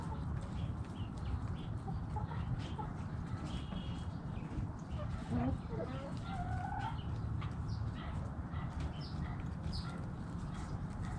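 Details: Backyard chickens: a drawn-out harmonic crow rises and falls midway through, with scattered short clucks and soft cackling over a steady low rumble of background noise.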